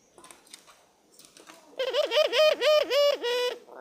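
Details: A very vocal dove. Soft scattered notes come first, then a run of six rapid, husky, evenly spaced coos rich in harmonics, each one dipping and rising.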